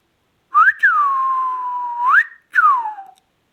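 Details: Pure whistled phrase from an Indian ringneck parakeet: a short upward slide, a drawn-out level whistle lasting over a second, a sharp rise, then a descending closing note in a quiet room.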